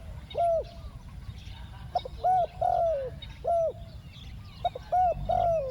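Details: Spotted dove kept for luring wild birds, cooing the two-word 'ku-ang' pattern: several overlapping phrases, each a short rising note and then a longer, gently descending mellow coo, as steady low hum runs underneath.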